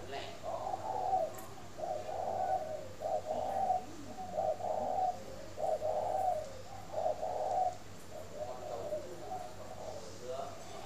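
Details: Spotted dove kept at a dove-keeping garden in Ba Vì, Hanoi, northern Vietnam, cooing in the morning: a steady series of soft, low, hollow coos in short grouped phrases, about one every second, over faint background hum.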